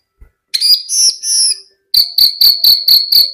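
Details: Javan bush lark singing vigorously: two drawn-out high whistled notes, a brief pause, then a quick run of sharp, evenly spaced high chips, about seven in a row.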